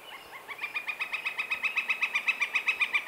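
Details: In spring, a Northern Flicker establishing territory gives its loud rolling laughing song: a rapid, even run of about four harsh 'wik' notes per second, building in strength, with nothing else heard.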